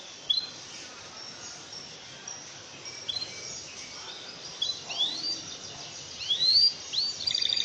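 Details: Canary song used as a training recording to stir lazy canaries into singing: scattered high chirps and quick rising whistled sweeps, growing busier toward the end with short rapid trills, over a steady background hiss.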